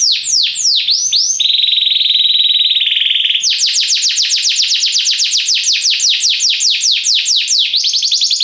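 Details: Belgian canary singing sweeping notes, then a steady buzzing trill lasting about two seconds, followed by a long run of rapid repeated downslurred notes, high, loud and clean.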